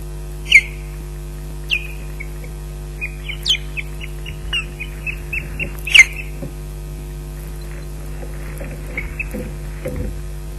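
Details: Osprey alarm at an intruder near the Loch Garten nest, afternoon after a fish arrives at 15:37: loud piercing whistles, then rapid runs of short even 'kyew' notes, repeated, over a constant low hum.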